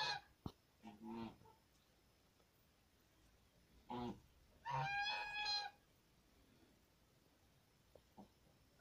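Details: Geese on a farm give a short burst of low clucking notes, then a brief honk, then one longer, strident, nasal honk mid-clip, with clicks and quiet farmyard background.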